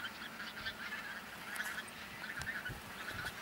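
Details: Bean geese, a flock of thousands in a field on Texel, Holland, late autumn 2014. A thick honking chorus runs throughout, punctuated by a few sharp clicks.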